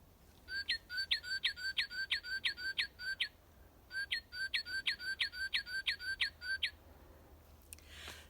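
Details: Northern Cardinal at a school forest bird-watching station sings "pretty pretty pretty": two bright runs of about nine loud, slurred whistles, each run under three seconds, ending with a brief soft thump.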